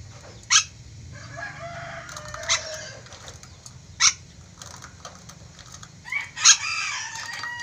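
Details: Ornate lorikeet, an Indonesian endemic parrot described as very vocal, gives four sharp harsh screeches spaced irregularly, with softer chattering and squeaky notes in between over a steady low hum.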